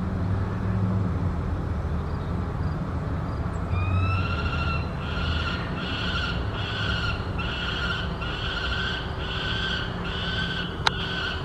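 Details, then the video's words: A peregrine falcon fledgling at the Richardson Complex begs for dinner with a run of harsh, wailing calls, one or two each second, over a steady low traffic rumble. "Fledgling calling for dinner"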